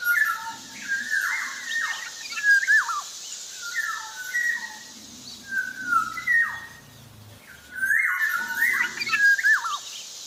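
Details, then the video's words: Black-naped oriole in full active song, giving a string of short phrases. Clear mellow whistles alternate with rasping, down-slurred squawky notes, with brief gaps between phrases and a faint low hum behind. "Suara burung kepodang jawa sedang gacor"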